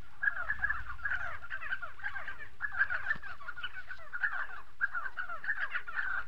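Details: Spotted sandgrouse from South Morocco: bursts of throaty, falling notes delivered in clustered groups about every second and a half, many overlapping, with low rumbling noise underneath.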